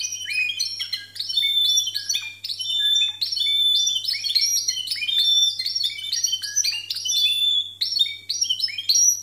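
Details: Timbrado canaries with discontinuous song, rated 92 and 93 points: dense, loud phrases of bell-like metallic notes and rapid trills, stopping and restarting every second or two, with a steady faint low hum.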